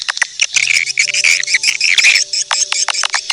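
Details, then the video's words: Lure recording of edible-nest swiftlets for attracting birds: rapid bursts of high, buzzy chirps in uneven clusters, with a thin steady tone running underneath. "suara panggil burung walet"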